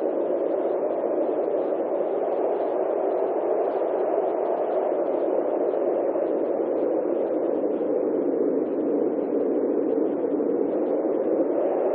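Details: Only a steady, even hiss of static-like noise is heard throughout, with no animal sounds.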